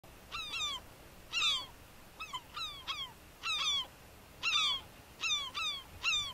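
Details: European herring gull of subspecies argenteus at Uitkerkse Polder, Belgium, in February 2011: loud, harsh, downward-slurred squealing notes, often in pairs or triplets, repeated roughly once a second over a steady hiss.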